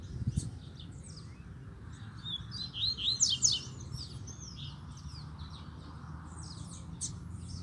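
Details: Double-collared seedeater (coleiro) singing face to face at its cage with a second coleiro that came to the cage. Several bursts of rapid, high, sweeping chirps and short trills mid-clip, over a steady low rumble.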